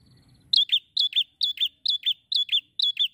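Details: Bar-winged prinia singing fairly actively, described in Indonesian as semi gacor: sharp high chirps in quick pairs, seven pairs in steady rapid succession after a brief low rumble at the start.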